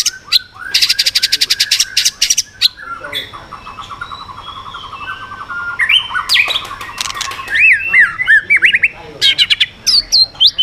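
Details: White-rumped shama giving a switching, swiftlet-ringing song to strongly provoke rival birds: harsh rapid rattles, a long low buzzy trill, then quick rising whistled slurs and clipped chirps.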